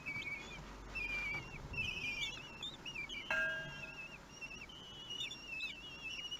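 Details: Common kestrel nestlings, one week old, being fed on 31 May 2020: continuous overlapping thin whistles with quavering, up-and-down slurs, plus a brief sharper, lower tonal sound midway and soft nest rustling.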